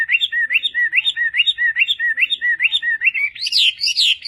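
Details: Chinese hwamei song used as a master recording for training other birds: a steady series of rapid rising-falling whistled notes, about two per second, ending in louder, higher ringing phrases.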